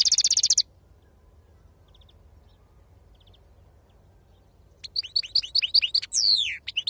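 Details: European goldfinch with authentic wild 'khalwi' sarfati-style song: a short burst of buzzy trilling, several seconds of near silence, then a lively run of twittered, sliding notes and a harsh buzz.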